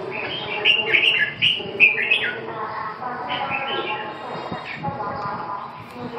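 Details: Red-whiskered bulbul singing: bright, quick warbled and whistled phrases in bursts during the first few seconds, then softer, scattered notes, over a steady low hum and murmuring background.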